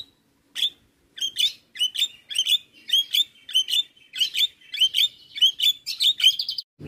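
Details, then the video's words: Javan myna calls for training mynas that are lazy to sing: bright squeaky chirps repeated about one and a half per second in a steady, rhythmic chain, over near silence. "Jalak Kebo Malas Bunyi Dan Jenis Burung Jalak Lainnya Cocok Di Kasi Masteran jalak Kebo Ini"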